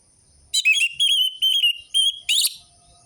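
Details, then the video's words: Song of an orange-headed thrush used to coax a reluctant caged bird into singing. Five clear whistled phrases follow each other, each holding a steady mid-high pitch with faint higher overtones. The last note sweeps upward into a buzzy flourish. "Pancingan burung anis merah macet dan malas bunyi"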